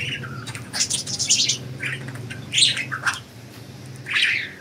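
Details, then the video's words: Loose pet budgies chatter with bright, buzzy warbles and sharp chirps, clustered early, then several spaced calls ending in one longer scratchy note. "Budgies Enjoying Freedom and Chirping"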